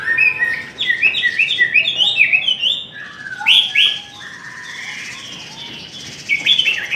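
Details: Chinese hwamei in a singing bout delivers bursts of loud, fast whistled notes, then a pause and softer drawn-out phrases, resuming with a sharp flourish.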